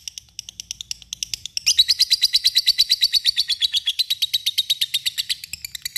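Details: Lovebird ngekek, a long chatter used to call an opponent: a few soft, scattered chirps at first, then a loud, fast, even rattle of shrill, harsh notes that carries on for over four seconds.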